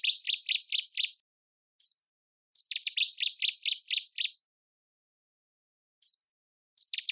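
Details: A common nightingale sitting among flowers sings rapid repeated bursts of sharp, rich notes, five or six to a phrase, broken by brief pauses and high single whistles; no other sounds intrude.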